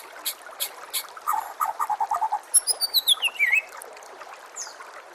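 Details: White-rumped shama song offered as masteran tutoring material for caged birds: a chattering series of sharp notes, then bright high whistles sliding down into a clear descending phrase.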